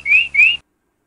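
A canary gives two clear, rising whistled notes in quick succession, each about a quarter-second long, then falls silent. No other sounds are heard.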